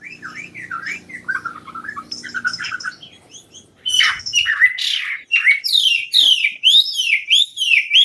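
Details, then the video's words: Tame Chinese hwamei from Cao Bang, three seasons old, said to sing well all day: varied loud song of rising and falling whistled notes and rapid warbled phrases. A low steady hum is heard in the first three seconds. "Họa mi cao bằng thuần đẹp 3 mùa hót hay suốt ngày"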